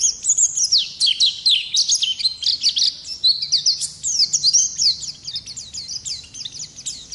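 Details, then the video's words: Oriental white-eye of the wild 'ngalas' type singing lively, long-running 'ngerol' song used as a tutor recording; rapid high twittering warble of sweeping, slurred notes, nearly unbroken, with brief pauses toward the end. "Pleci Ngalas Gacor Ngerol Durasi Panjang"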